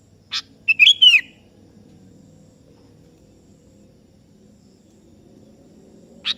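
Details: A kebo sooty-headed bulbul calls a rival: one quick bubbly whistled phrase with a drooping end, bracketed by two brief sharp chip notes, with long quiet gaps.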